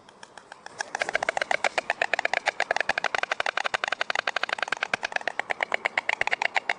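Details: White storks in Vetschau at feeding time, 6:30 pm: a fast, steady run of short, sharp pulses, many per second. The pulses begin after a quiet first second and continue without a break to the end.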